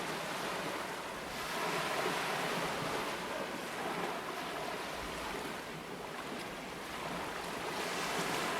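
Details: Steady surf and wind rush over the shore, with no bird calls standing out.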